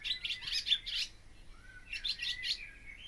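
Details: Barn swallow singing two short bursts of fast, scratchy twitter separated by a pause with a thin downslurred whistle, ending on a drawn-out higher note.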